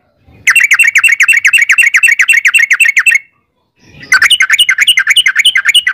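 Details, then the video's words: Yellow-vented bulbul singing the long 'ropel' trill meant to lure others into answering: two bursts of rapid, bubbly repeated notes, each near three seconds, divided by a short silence. "trucukan gacor ROPEL PANJANG buat pancingan trucukan agar bunyi"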